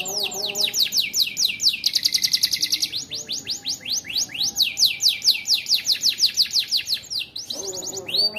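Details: Caged AF canary in full song with ciblek-style fill: long series of rapid, sharply descending high whistles, a buzzy sustained trill near two seconds, then more swept notes ending in a lower warble.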